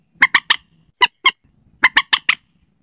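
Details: Slaty-breasted rail night lure call: two quick groups of harsh, clipped notes, three then four, separated by a pair of single louder notes.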